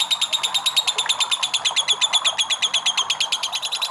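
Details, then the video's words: Lovebird in extended ngekek, a trilling song used to prompt other lovebirds: shrill, rasping notes pulsing steadily around three per second, bright and ringing, with a quiet background. "LOVE BIRD NGEKEK PANJANG"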